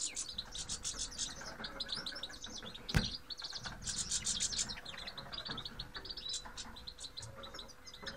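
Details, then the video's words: Flock-like twittering of grey-headed goldfinches (Carduelis caniceps): rapid bright chirps in clustered bursts, a sudden knock around the third second, and a constant faint hum underneath. "Grey-headed Goldfinch. Седоголовые щеглы"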